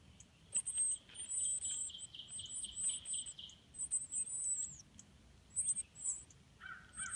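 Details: Northern cardinal nestlings in the nest being fed by their parents: thin, very high chirps in rapid bursts of several notes, with a lower broken note near the end, over faint background hiss.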